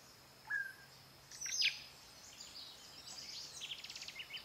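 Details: Orange-bellied Euphonia (Euphonia xanthogaster quitensis) at Sachatamia Lodge, Ecuador, in May 2012 gives a brief high whistle, then sharp high chips and a fast series of dry, buzzy notes over faint background hiss.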